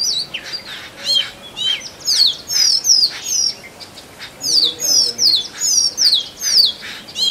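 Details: A male Oriental magpie-robin sings to attract a mate in forest, giving high whistled phrases that sweep down sharply, in bursts separated by brief pauses, mixed with thin chips.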